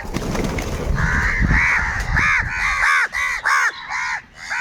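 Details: Large flock of crows calling while fighting for food: harsh arched caws repeated rapidly and overlapping, preceded by a second of low rumbling noise.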